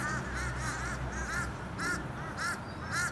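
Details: Fish crows mobbing around a building in October call in short paired nasal caws, several birds overlapping, with brief pauses between bursts and a low background hum.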